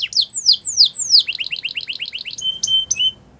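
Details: Belgian canary singing to make other canaries sing: a string of loud descending whistled sweeps, then a fast run of short repeated notes, ending in a few clear high whistled tones.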